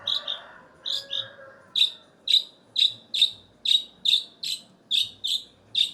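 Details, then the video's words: Long-tailed shrike repeating clipped, high chirping notes roughly once per second in an even rhythm, some notes doubled, with a faint low hum beneath. "Cendet Blangkon"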